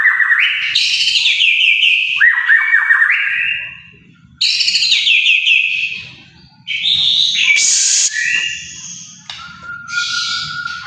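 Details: White-rumped shama singing loudly with rich whistled and warbled phrases, sliding and rising, separated by short pauses, some harsh chattering notes and a sharp high note; faint low rumble in gaps.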